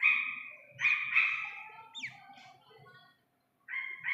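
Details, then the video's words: Iranian partridge chick giving drawn-out rasping calls, a falling whistled slur, then quiet before a renewed pair of harsh notes; faint low clicking beneath. "ایرانی تیتر کے بچے کی اصلی آواز"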